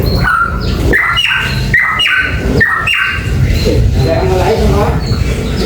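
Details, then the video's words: Papuan beach bulbul singing a run of short, clear whistled notes, several sliding upward, over a steady low hum and background noise. "Cucak Pantai Papua suara tembus"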